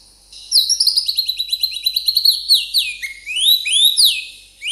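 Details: A champion Oriental magpie-robin in song-training material delivers a rich, varied phrase: rapid high chattering notes giving way to sweeping rising and falling whistles, crisp and clear.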